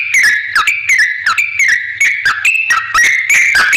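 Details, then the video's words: Used to provoke answers from other bulbuls, this yellow-vented bulbul song runs as a continuous whistled warble with quick downward dips and sharp clicks about every third of a second. A soft low hum persists throughout. "suara trucukan gacor ampuh bikin nyaut pancingan trucukan agar bunyi"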